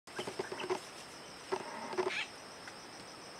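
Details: Bar-backed partridge at a forest edge in Kaeng Krachan National Park, 19 March 2012: short low hooting notes, several in quick succession, mixed with broadband rustling clicks over a steady high insect hum.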